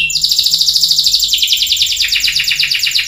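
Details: Canary delivering a fast, even trill of high pulsed notes, a rolling buzz that shifts slightly lower midway, loud and continuous.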